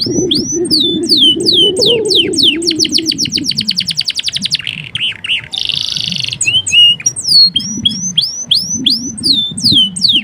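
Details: Singing male canary used to teach other canaries: fast downward whistled notes lead into a rapid rolling trill, a short buzzy passage, then further clear sliding whistles, with soft low background rumble.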